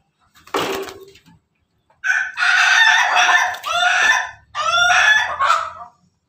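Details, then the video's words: Laughing-style crow of a Pelung rooster, recorded 17 May 2024: a brief harsh note, a pause, then three choppy, stuttering crow bursts rich in harmonics, each bending downward, separated by short breaks. "ayam pelung Bangkok ketawa"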